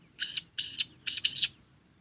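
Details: A 2.5-month-old black francolin chick calls together with adult birds, giving four grating, buzzy bursts, two spaced apart and then a quick close pair, over a low background hum.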